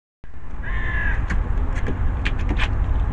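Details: At an allotment in Warsaw, a hooded crow gives one drawn-out, slightly nasal caw lasting about half a second, while heavy low traffic rumble and a few short knocks fill the background.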